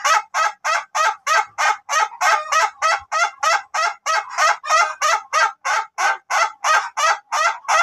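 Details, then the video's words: Duration-type Ayam Ketawa laughing chicken being trained for a long crow: unbroken series of sharp, evenly repeated laughing syllables, roughly three per second, clean with no other sounds. "CARA AGAR AYAM KETAWA TYPE DURASI KOKOK PANJANG"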